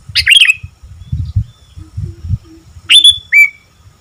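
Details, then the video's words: An energetic sooty-headed bulbul gives two loud, clear chirped phrases, one at the start and one near the end, each sliding down into a brief whistle, with low knocking noises and faint hums between them. "Burung Kutilang Gacor"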